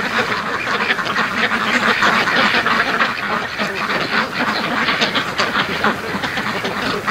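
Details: In light misting rain, a flock of domestic ducks heads down the trail toward the lake while being called along. Busy overlapping nasal quacks tumble out several per second without a break.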